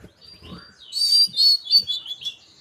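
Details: Tledekan gunung, a local bird from Merapi, recorded as a lure and teaching recording: a brief burst of bright, high, warbling whistles with quick slurred notes after a short quiet start.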